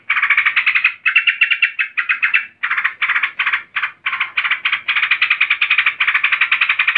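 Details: Agitated female yellow-vented bulbul calling to a male: near-continuous harsh, rasping rattles in rapid pulsed runs, broken by brief pauses, for seven seconds.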